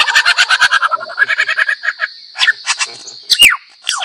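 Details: Lyrebird mimicry: a quick, even series of about a dozen harsh repeated notes, then slower scattered chirps and two steep falling whistled sweeps near the end, over a faint steady whine.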